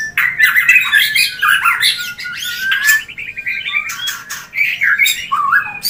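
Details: White-rumped shama mating call played to bring birds into breeding condition: scratchy chatter and squawks, a fast buzzy trill in the middle, then lower slurred whistles.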